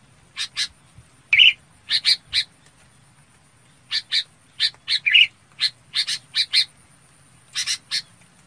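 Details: Flock-gathering calls of a red-whiskered bulbul: dry, harsh chips in irregular clusters of two to four. Two fuller buzzy notes stand out, and a thin constant high tone runs throughout.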